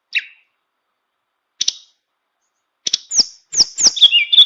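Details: Tame captive flowerpecker in flute-like song: a few isolated sharp chirps separated by silence, then a rapid run of high downslurred whistles and twittering notes at the end.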